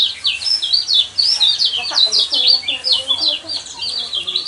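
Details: High, fast yellow white-eye song meant to stir caged birds into singing. It is a continuous stream of thin, zigzagging whistled notes with a slightly rough, buzzy edge, steady in loudness throughout.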